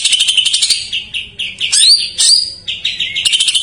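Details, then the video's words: Greater green leafbird delivering jamtrok-style filler song as a lure for untrained or stalled birds: bursts of shrill chatter separated by clear rising slurred whistles, ending in fast high pulses. "JAMTROK MANIA : cucak ijo isian , pancingan paling ampuh untuk burung bahan / macet"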